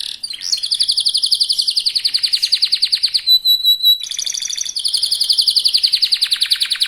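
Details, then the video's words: Young local canary singing very fast as a lure to set rival birds singing, delivering long rapid rattling trills of pulsed high notes, a short steady whistled break near the middle, then another extended rolling trill. "Kenari muda gacor pancingan kenari lokal super cepat bikin lawan bunyi"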